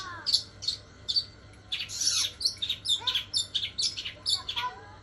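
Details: Long-tailed shrike singing a song laced with house sparrow and kunti imitations: scattered high chirps at first, then a busier run of squeaky notes mixed with lower, falling whistled slurs.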